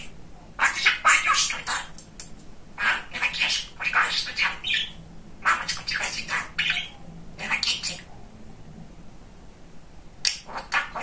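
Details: Pet male budgerigar kept indoors, described as very talkative, chattering in fast raspy speech-like bursts of about a second each, separated by short pauses, with soft scratchy warbling in between.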